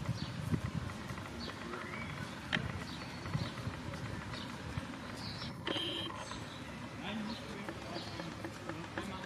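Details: Canada goose family with five goslings in Luisenpark, Mannheim, Germany, on 4 June 2022: scattered thin, high peeps sliding downward, repeated irregularly, with low rumbling background noise and occasional knocks.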